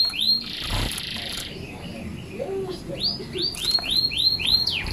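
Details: Singing zitting cisticola: after a brief harsh buzzy burst, a steady series of sharp, high, down-curved 'zit' notes repeats about every third of a second over faint background noise.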